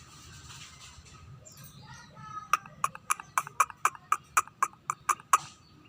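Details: Scaly-breasted munia starting to sing frequently: after a quiet start, a fast run of about a dozen sharp, evenly spaced clicking notes, roughly four per second, over faint low background rumble.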